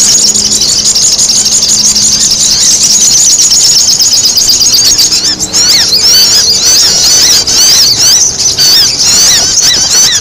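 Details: High, squeaky sogon chatter played as a lure, growing busier and more jagged in the second half, with a low steady hum underneath early on.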